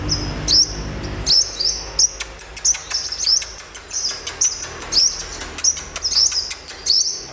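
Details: A sunbird, a newly caught bird around midday, gives thin, high chirps with quick upslurred flicks, repeated about twice a second, over sharp clicking and a low rumble at first.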